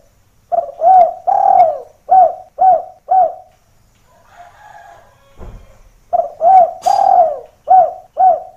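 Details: A vigorously calling spotted dove serves as a lure that draws doves down to find the rival's voice. Two runs of five or six rolling coos are separated by faint cooing and a single dull knock.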